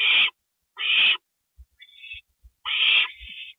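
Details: At 2:05 AM, April 27, 2012, as a gopher is delivered, owls give loud, harsh screeches. Two come about three-quarters of a second apart, then a thin hiss, then a long screech fading into a hiss. Soft knocks sound in between.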